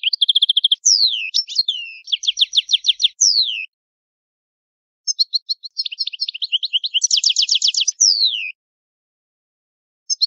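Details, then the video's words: Goldfinch, Italian old song, delivering varied phrases: a steady tonal trill, falling whistled slides, rapid buzzy note series, a silent gap, then another long twittering run with a harsh trill and descending slur; no background noise. "Il canto del cardellino italiano ,il vecchia canto"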